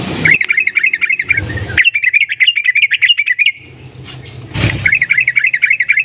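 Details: Sooty-headed bulbul singing a long, rapid 'ropel' song with clicking notes, used to provoke other bulbuls into singing. Fast bubbly phrases of quick, warbling chirps come in three bursts separated by brief pauses, with low rumbling noise underneath.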